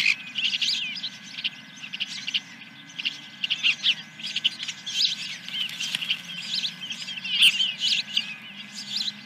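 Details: Osprey at a ranch nest on 10 July 2021, morning, tied to the first fish: a busy run of high, thin chirping calls, overlapping and uneven, with a steady low hum beneath.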